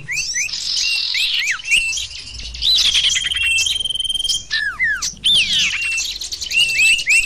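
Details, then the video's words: Lure recording of the sirtu bird, meant for attracting birds: a crowded burst of high chirps, squawky notes and long thin whistles, broken by brief pauses and sharp falling slurs. "audio pikat burung sirtu//durung sirpu"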